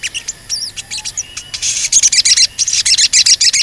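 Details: Crimson Sunbird in loud song, described as cuit cuit, used as a lure to provoke other birds into singing and agitation: rapid, dense run of very high, thin chirps and sharp twitters, about three or four per second, building louder toward the end.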